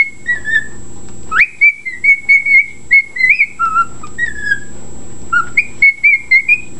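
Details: Pet bird whistling a bugle-like reveille: a sudden rising sweep opens a run of steady repeated notes that step down and back up, with a faint constant hum.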